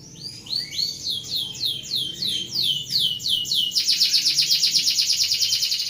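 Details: Canary song in rolling style, meant as a tutor for other birds: repeated downward-sweeping high notes, then a dense rapid trill after about four seconds.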